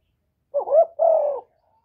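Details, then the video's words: One cooing phrase of a spotted dove, played to rouse decoy birds and males: a short rising, wavering coo, then a longer, level coo that dips at the close. The phrase is clear against a silent background. "TIẾNG CHIM CU GÁY KÍCH MỒI RẤT HIỆU QUẢ, CU GÁY KÍCH TRỐNG CỰC HAY, GÁY GỌI, CHIÊU, GÙ, BO, CU ĐẤT"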